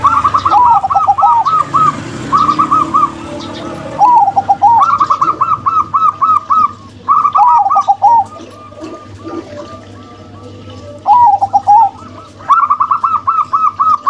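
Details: Local female and crossbred male zebra doves sing repeated phrases of fast, even staccato coos, some ending in lower rolling notes. Phrases recur every few seconds with quieter gaps between them.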